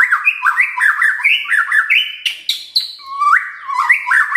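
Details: White-rumped shama pouring out a dense varied song of crackles and loud bursts, continuous jumping whistled notes with short buzzy high flourishes.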